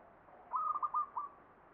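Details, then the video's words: Single phrase of zebra dove song in the ngepat Mataram Jogja style: a handful of quick, mellow, slightly wavering notes running together, the last drawn out a little, over low hiss. "SUARA PERKUTUT NGEPAT PAKEM MATARAM JOGJA"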